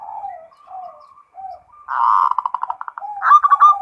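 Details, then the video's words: Zebra dove (perkutut), local bird, singing in the full 'ngerot' style: soft low cooing notes at first, then a loud burst of rapid rolling coos and a fast trilled phrase at the end. "SUARA PERKUTUT FULL NGEROT"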